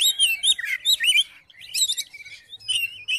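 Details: Oriental magpie-robin song used to provoke another magpie-robin into singing: rich varied phrases of sweet whistled notes, sliding and rising slurs, with brief chattering bursts and short pauses between phrases.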